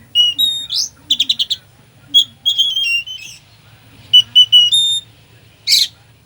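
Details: Oriental magpie-robin in full mimicry-filled song, used to provoke a sluggish bird: a rapid string of clear whistles, a quick trill burst and steady high whistled notes, with varied phrases separated by short pauses.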